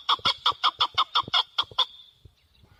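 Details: A male chukar partridge, recorded for hunting, gives about ten quick, harsh clucking notes in under two seconds, then falls silent.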